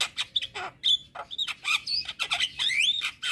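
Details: Javan myna song from a master recording for hobby birds: dense chatter of scratchy notes with sliding whistles rising and falling, continuous and lively throughout.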